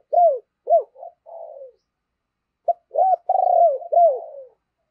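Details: Decoy spotted dove calling to attract wild birds: two phrases of short arched coos followed by a longer vibrating coo that trails downward, with about a second of silence between them.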